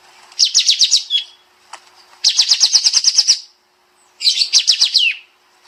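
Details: Master training recording of a bulbul known as kapas tembak, singing in the tight 'nembak' shooting style: three dense runs of about ten quick high chirps each, separated by short pauses.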